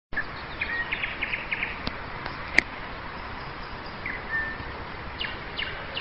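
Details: Nightingale singing at dawn in May 2011 in Nizhny Novgorod: a quick series of short, sharp repeated chirps, then a lone clear whistled note, all fairly faint over a steady hiss of background noise.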